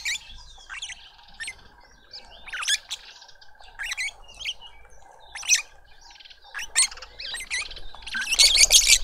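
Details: Lovebird family with a juvenile being fed in a Pretoria garden, South Africa: scattered high, twisting squeaky chirps every second or so, building to a dense shrill chatter at the end, over a steady hum.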